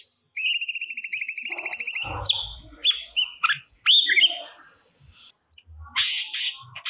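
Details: Cucak cungkok song full of stored material: a fast ringing trill of repeated high notes, then varied whistled slurs, scratchy bits and sharp chirps with short gaps between them.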